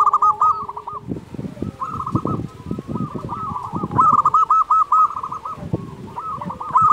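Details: Local zebra dove singing actively, kept as a master bird to train doves slow to sing: staccato, stuttering trilled coos in quick repeated phrases, with clattering low knocks beneath.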